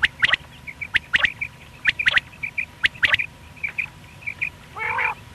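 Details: Single male quail (batair) calling, recorded for morning and night hunting: sharp, clipped notes in quick groups of two or three, repeated about every second, with softer chirps between and a brief nasal note at the end.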